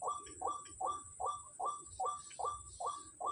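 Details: At Kepasar on a Sunday morning with many white-breasted waterhens around: crisp short notes that dip in pitch, repeated about every 0.4 seconds in a very regular rhythm, faint higher chirps above and a steady insect whine.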